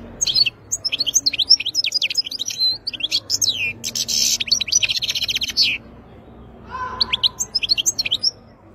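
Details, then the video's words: European goldfinch from the wild in full song, a loud, continuous run of bright twittering and buzzy notes. A short pause is followed by another quick twittering phrase. "تغريد مقنين خلوي"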